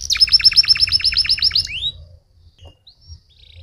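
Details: Stimulating canary song for getting other canaries to sing: a quick, even run of high chirping notes for under two seconds ends in a rising slur, then near silence with a few faint peeps.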